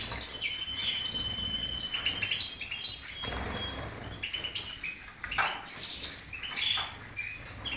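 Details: Lively European goldfinch song: a thin sustained whistle early on, then jumbled high chirps, buzzy notes and quick twittering phrases, rising and falling in loudness.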